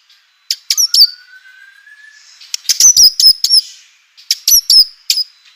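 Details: Shama song, white-rumped, used as a lure to make other shamas sing: clusters of sharp high chips with a long, faint, thin rising whistle between bursts.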